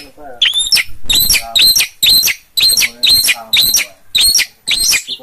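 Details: Long-tailed shrike in active song from Gunungkidul, Yogyakarta: a rapid chain of coarse chattering notes topped by squeaky whistles, about two per second, with a brief lower murmur at the start.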